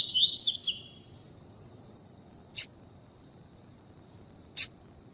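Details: A Double-collared Seedeater, in a training song recording with a female, opens with a second of quick, high twittering, then gives two isolated sharp, high notes about two seconds apart over a quiet background.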